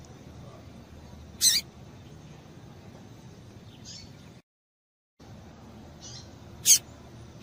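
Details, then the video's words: Female rusty-collared seedeater calling to get a male singing: brief high-pitched chips, two loud and two softer, separated by long pauses, against faint background hiss with a short silent gap. "Piado de Fêmea de Coleiro para Esquentar Coleiro"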